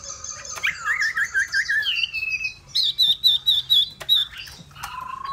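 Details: Hwamei singing: a rapid, wavering trill of warbled whistles that slides lower, then a series of six loud, clear notes repeated evenly at a higher pitch, ending in a short low whistle.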